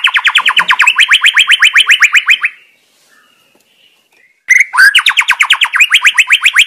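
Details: Wild White-rumped shama singing: long fast series of identical sweeping chirps, about four per second, broken by a short quiet gap and a twisting whistle before the rapid series resumes.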